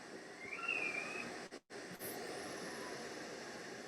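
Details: Western Screech-Owl, one of two birds answering playback in the San Gabriel Mountains, gives a single thin, slurred whistle like a saw-whet owl's wail, rising then easing down, under a second, over steady hiss.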